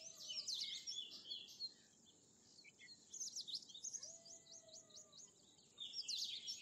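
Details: Bimaculated lark delivering three bursts of jumbled, high, twittering notes separated by short quiet gaps. A faint low whistle is heard beneath.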